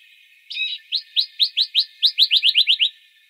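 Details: A Western rock nuthatch in İzmir, Türkiye, in March 2020, gives one harsh, buzzy note, then about a dozen clear, rising whistled notes that speed up over two seconds, with no other sounds.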